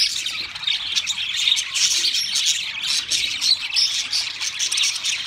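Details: Group of pet budgies warbling steadily, a thick mix of squeaky notes, short whistles and scratchy chatter that keeps a constant level.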